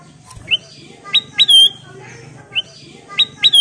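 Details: Kutilang emas bulbul in lure song, repeating its phrase twice in under four seconds: a rising note, two quick upslurs, and a bright held whistle, over a low hum.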